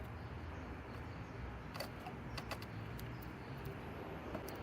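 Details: A steady low rumble of traffic with a few faint jangling clicks, and no animal voices.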